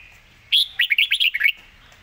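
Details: Red-whiskered bulbul singing a single rapid 'pak wai' phrase: a clear opening whistle followed by about eight quick, bouncy, slurred notes tumbling up and down, lasting about one second.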